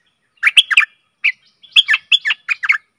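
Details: Stripe-throated bulbul singing as a decoy for fierce wild birds, recorded December 2021: lively bubbling phrases of quick, slurred whistled notes, one short phrase, a pause, then a longer run, otherwise quiet.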